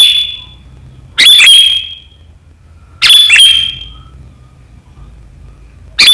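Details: Sooty-headed bulbul (kutilang) giving sharp gacor riwikan chattering meant to set rivals singing, recorded 7 April 2023: two loud bursts of high, shrill whistled notes with a sustained ringing tail, about two seconds apart.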